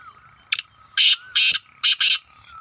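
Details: Young black francolin calling: four to five harsh, broadband bursts in quick succession, each about a quarter second long, the middle ones longer and grating, over a quiet background.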